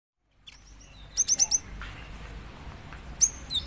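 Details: Female cinereous tit calling to a male: after a quiet start, a quick run of four very high, thin chirps, then a pause and a few more high sharp notes near the end, over a soft low background hiss.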